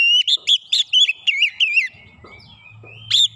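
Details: Oriental magpie-robin singing in the rapid 'nembak rapat' style for a training recording: loud, bright whistled notes, each looping up and down, repeated quickly for about two seconds, then a faint low hum and a final burst of whistles.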